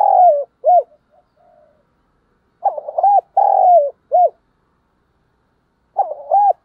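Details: Spotted dove used as a trapping lure: a phrase ends in a falling burry coo and short note, quiet murmuring follows, then a full phrase of arched coos, long rough coo and final note, and another begins.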